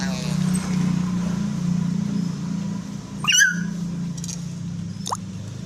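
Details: Common hill myna, sound used to lure other mynas into singing: one loud descending whistle with strong harmonics, later a short rising note, over constant low engine-like rumble.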